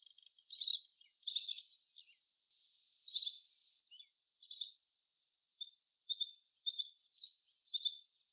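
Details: Little green bee-eater repeating short, thin, high trills, first a few spaced bursts, then a quicker run of clipped beaded notes roughly every half second, over light hiss.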